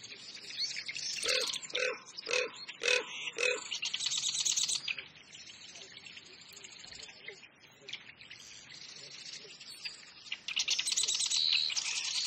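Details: Common raven in Eastern Oregon wetlands in spring gives a quick run of five harsh, guttural croaks, then falls quiet; faint calls of other birds and a steady outdoor hiss follow.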